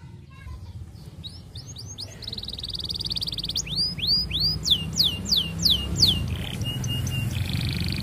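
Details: Canary singing to attract a female, used to coax other canaries into song: rising whistled notes lead into a steady high trill, then a run of loud arched whistles and a lower buzzy roll, with background hum.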